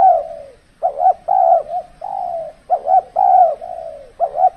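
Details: Decoy spotted dove in cold-season trapping; low, mellow coos in phrases of clipped double notes followed by long, gently falling coos, repeated about every one and a half seconds.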